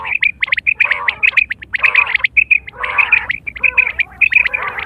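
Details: Quail calling, recorded in September 2023; a call used for hunting and mating. Dense overlapping chatter of harmonic squawky notes with bright high notes on top, in bursts about every second, like several birds calling at once.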